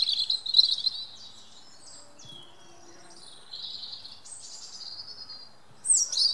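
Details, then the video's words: A European robin singing in woodland gives high, liquid warbling phrases that jump abruptly in pitch, with thin drawn-out notes between louder bursts at the start and end. "Robin redbreast singing"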